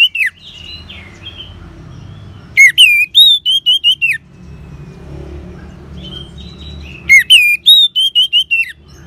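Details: Orange-headed thrush in northern Bali, its song played to make caged birds sing: loud bursts of looping, sliding whistles run together in quick series, separated by soft warbled phrases and a low background hum.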